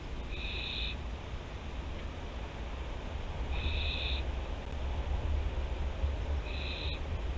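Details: Barn owls at a nest watched by webcam at Théding, France, on 24 September 2021; hissing bursts sound about every three seconds over a steady low hum.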